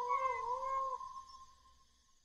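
A peacock gives one loud, nasal, wailing cry lasting about a second, dipping slightly in pitch, then fading out in a lingering echo; nothing else is heard.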